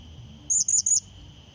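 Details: One short burst of three shrill, high, upward-flicking notes from a blue-crowned hanging parrot, used as a lure to challenge a rival; steady high hum behind.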